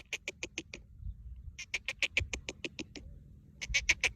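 A partridge gives rapid bursts of harsh, clipped notes, about six a second, in runs separated by short pauses, over a low rumbling background.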